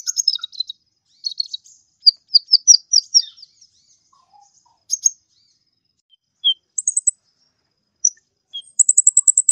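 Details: Actively singing sunbird, known locally as kolibri ninja, recorded as a tutor for songbirds: rapid high chattering phrases, scattered single chirps and clicks, then a steady, very high, fast trill at the close.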